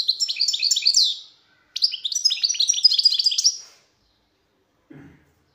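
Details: European goldfinch twittering in two long, rapid phrases of bright tinkling notes and trills, followed by a faint low thump.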